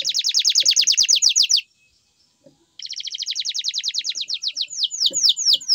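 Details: Canary in full song, pouring out quick high trills of evenly repeated notes, a short break, then another long rattling trill that turns into slower, loud descending whistled slurs.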